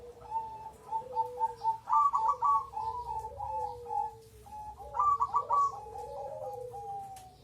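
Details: Zebra dove of crossbred stock gives a run of short, evenly spaced coos. These build into two louder, rolling, stuttering phrases, each trailing into softer falling coos.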